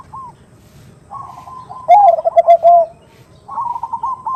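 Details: Female zebra dove (perkutut) calling to a male, a lure recording: soft cooing phrases, a louder burst of rolling, slurred coos in the middle, then quieter repeated coo notes; low background rumble throughout.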